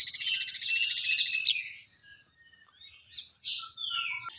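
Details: Crested jay (sogon), a singing bird: a fast, even, buzzy rattle for about one and a half seconds, ending in a sharp note, followed by faint scattered chirps and slurred whistles.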